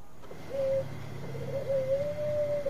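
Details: Singing Bangkok zebra dove, kept to lure other doves, utters a short mellow coo, then a longer gently rising and wavering tone, with low rumbling noise underneath.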